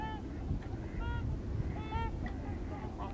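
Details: Several migrating trumpeter swans in Missouri call in spaced, bugling honks about once or twice a second, each note slightly rising then falling, above a heavy low rumble of background noise.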